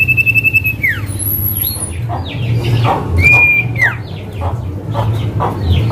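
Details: Singing male common iora, whose calling marks it as male, used to lure and tutor other ioras: level pulsed whistles, a high thin whistle, and many short sweeping chirps, with low background rumble throughout.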